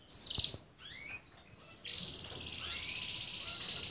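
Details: Red canary song opening with quick upward-slurred notes, then moving into a steady high rolling trill held to the end.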